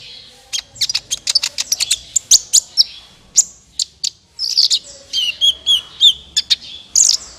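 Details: Sunbird call used as a lure for trapping birds: rapid sharp high ticks and chips, then a run of short whistled downslurred notes in the second half.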